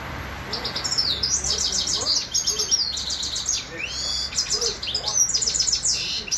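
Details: Grey-crowned goldfinch, a caged bird kept in Khujand, Tajikistan, singing a fast series of high twittering, buzzy trills and short slurred notes in repeated phrases, about four notes a second, with faint speech in the background.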